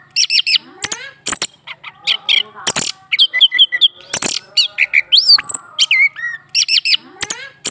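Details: Male orange-headed thrush kept in a cage sings after a female is put beneath it: quick twittering whistles, sharp clicks and a run of rising and falling looped notes, continuous and energetic.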